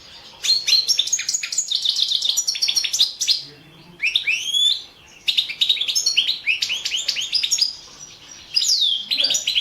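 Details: European goldfinch of the Balkan subspecies Carduelis carduelis balcanica, a competition bird entered in a 2017 world championship for goldfinch song, delivering fast bursts of twittering, buzzy and tinkling notes in phrases split by short pauses.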